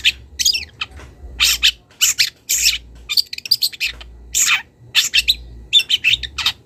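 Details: Young wild long-tailed shrike calling toward a rival and starting to reveal mimicked notes: loud, coarse, scratchy bursts mixed with short chattered notes, in irregular clusters.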